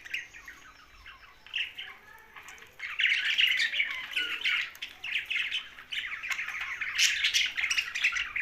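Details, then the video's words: Young budgie chattering with harsh, scratchy chirps, sparse at first, then a dense, continuous stream of squawky notes from about three seconds on. "Young Budgie's Sound's"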